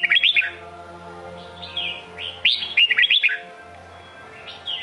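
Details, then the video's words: Red-whiskered bulbul, Sông Kôn type, in song: an opening burst of sharp whistled chirps, scattered softer slurred notes, then a loud cluster of quick looping whistles and a faint closing phrase. "Chào mào sông kôn hót cực hay cực đẹp"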